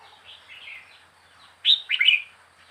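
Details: Wild-caught young red-whiskered bulbul, four weeks in a cage, giving a brief warbled phrase: soft notes, then a louder cluster of quick, bright, slurred whistles near the end over a quiet background.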